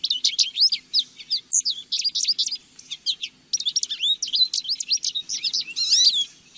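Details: Lesser goldfinch pouring out a continuous rush of bright, high chirps and twisting slurred notes, with a brief pause midway and a faint low hum beneath.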